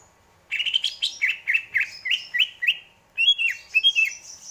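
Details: Greater green leafbird song made of lively slurred whistles, each note bending up and down, given in two phrases with a brief pause between them.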